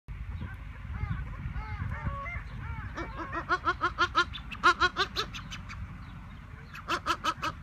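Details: Captive Greater kelp goose (Chloephaga hybrida malvinarum) giving soft curved calls, then a run of nasal, harmonic honking notes about twice a second, over a low background rumble.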